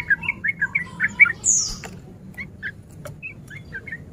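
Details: Male yellow-vented bulbul in breeding condition, played as a lure to provoke rivals: a quick burst of bubbly chirps and one high squeal, then sparser, quieter chirps trailing off.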